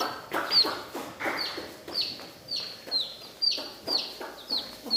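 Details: Coloured baby chickens in a village, giving high, whistled peeps that drop sharply in pitch, repeated about twice a second in a steady series with faint background noise.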